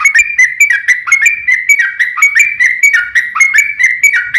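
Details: Yellow-vented bulbul fighting song used to make other birds answer: a steady, rapid stream of loud slurred whistles, each note swooping down then up, about four notes a second.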